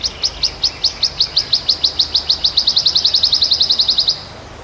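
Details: Wild wood warbler song made of about thirty-three thin, high, slurred notes that start spaced and quicken steadily into a dense run before stopping abruptly; a quiet low hum lies beneath.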